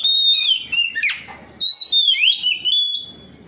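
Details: Oriental magpie-robin singing in full-voiced ngeplong style, responding to another magpie-robin and showing its repertoire; two loud whistled phrases, each a long high sustained note dropping into twisting lower slurs, separated by a short pause.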